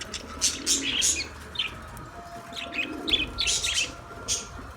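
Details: Australian parrot giving quick, high chirps and tweets in irregular clusters, several notes packed together, over a soft low background hum.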